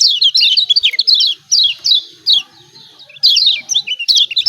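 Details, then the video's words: White-eye (kecial kuning, Lombok) giving 'ciak ciak' calls used as a lure for reluctant birds: a quick run of high falling chirps, a few spaced notes, a brief lull, then renewed rapid chattering. "CIAK CIAK JOSS KECIAL KUNING AMPUH||PANCINGAN KECIAL MALAS BUNYI||"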